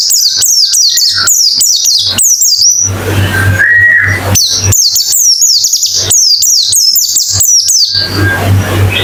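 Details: White-eye therapy song in the quick 'ngalas' style: long strings of sharp, high descending chirps, a brief noisy break with one rising whistled note near four seconds, then more rapid chirping over a low hum.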